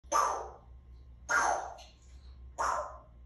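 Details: Three-year-old pet African grey parrot, raised as a human, voicing three short, breathy bursts about 1.2 seconds apart, each a noisy puff like a bang or bark imitation, in a quiet indoor room with low hum.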